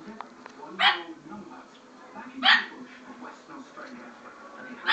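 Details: A pet Severe Macaw, which lived with a pack of Pomeranians, gives harsh, raspy barks imitating a dog, spaced about two seconds apart.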